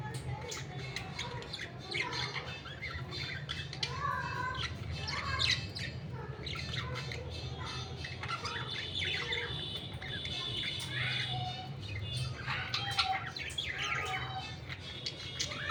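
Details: Budgerigar (Melopsittacus undulatus), chatter.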